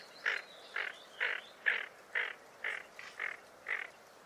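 Tufted duck giving a string of harsh, rasping growls, about two each second, with a faint thin whistle early on.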